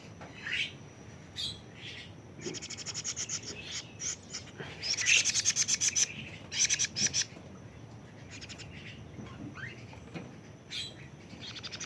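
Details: Plaintive cuckoo, young bird at 41 days: scattered scratchy squeaks, then several runs of fast rasping pulses in quick succession, with quieter gaps between the bursts.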